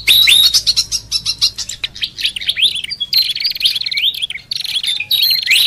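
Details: Fantail lure call, mixed with lure sounds of hill babbler and red-headed prenjak, made of rapid high chirps and sweeping whistled notes, some rising and falling phrases repeated in quick runs, with no other sounds.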